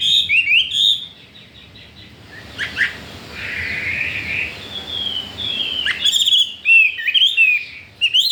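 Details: Caged Chinese hwamei, newly arrived and unafraid of the other household birds, opening and closing with bright twisting whistled phrases, separated by a quieter stretch of soft scratchy sounds and background noise.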